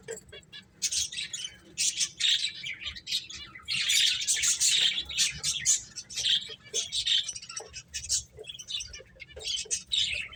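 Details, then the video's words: Finches chirping while playing, a busy stream of high twitters and quick chirps from several birds, loud stretches alternating with softer moments. "Beautiful Birds Chirping Sounds | Cute Finches Playing"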